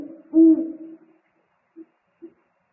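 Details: At the nest on 3 March 2019, an owl calls as the father brings food and the pair exchange calls: one strong, low hoot swelling then fading, followed by two brief soft notes.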